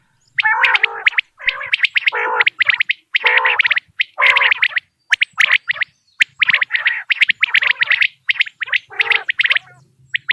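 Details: Quail call from Dera Ghazi Khan, played for quail hunting: loud bursts of rapid ticking notes over harsh, gargling buzzy phrases, in short bouts roughly every second with brief silent gaps.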